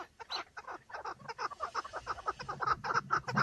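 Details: Several male chukar partridges fighting and displaying for females in breeding season, filmed from inside a car: rapid, harsh clucking notes tumbling over each other about two per second, uneven rhythm, several birds overlapping.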